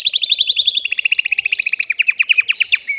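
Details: Agitated caged male canary singing to rouse a female for breeding: a very fast high trill shifting into slightly slower, lower repeated chirping notes, steady and unbroken.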